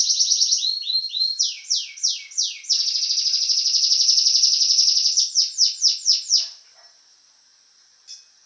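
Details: Champion canary song: quick chattering notes, descending slurred whistles, a long sustained high rolling trill, then more swept notes fading to quiet with one final short chirp.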